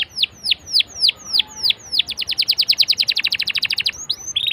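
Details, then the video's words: Canary song used to prompt other canaries to sing: loud descending whistled sweeps repeated about four per second, then a fast even trill of short notes, ending in a brief buzzy phrase. "BURUNG KENARI LANGSUNG RESPON GACOR DENGAN PANCINGAN KENARI INI!!"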